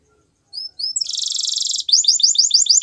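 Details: Canary song used for training other canaries: a few thin rising whistled notes, then a dense, buzzy high roll lasting nearly a second, followed by a fast run of sharp repeated chirps.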